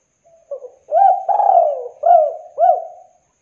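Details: Local spotted dove, an eager singer, gives a soft lead-in note, then a long hollow coo sliding down, followed by two shorter rounded coos, each rising then falling. No other sounds are heard.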